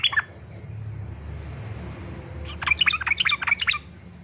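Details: Yellow-vented bulbul, fighter style, played to encourage other bulbuls to sing; after a quiet stretch with low background hum, a short burst of quick, bubbling warbled notes arrives.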